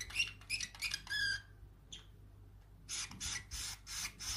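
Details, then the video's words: A 7-month-old parrotlet just starting to talk gives quick, squeaky, buzzy chatter in two bursts of rapid syllables with a short pause between, indoors. "Baby Parrotlet Talking & Cute Sounds"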